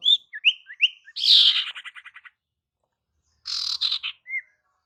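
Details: Calling female sirtu, used to lure males: rapid rising whistled notes lead into a rasping buzz that breaks into quick stuttering notes, then another harsh burst and a final upslurred whistle.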